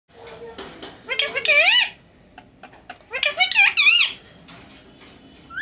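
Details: Indian ringneck parakeet, one of a talking pair, speaking face to face in Urdu or Hindi indoors: two bursts of shrill, rapidly wavering speech-like phrases, each under a second, with short squeaky notes between them.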